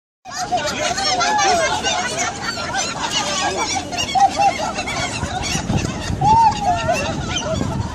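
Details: Gulls in Helsinki calling in a noisy flock: overlapping harsh, wavering cries and short yelps, dense and continuous, with broad background noise and a crowd-like din.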